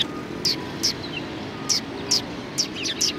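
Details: Sparrows gathering to be fed at a Tenmangu shrine on 6 March 2020 give brief bright chirps spaced about once a second, with a low rumbling background like distant traffic.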